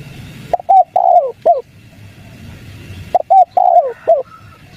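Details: Lure call of a spotted dove in the 'kuk 3' style, for prompting wild doves to call back: two matching phrases about two and a half seconds apart, each of short coos rising into a longer descending coo, then a closing note.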